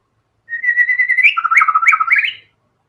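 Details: White-rumped shama in energetic song, a drawn-out level whistle breaking into a rapid chattering sequence of low and high notes, bright clicks scattered through, about two seconds, otherwise quiet.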